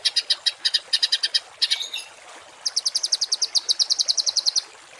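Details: Songbird tutoring recording of harsh 'tembakan kasar' shots for cage and contest birds: a quick run of scratchy notes, a brief lull, then a steadier fast series of bright buzzy pulses.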